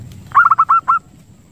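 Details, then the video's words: Zebra dove lure call meant to attract birds and stimulate breeding: one quick phrase of six clipped, hooked cooing notes with a slight stutter at the start, then quiet. "PIKAT PERKUTUT ‼️ Suara Jernih Ampuh Buat Pikat & Masteran Perkutut Untuk Merangsang Birahi"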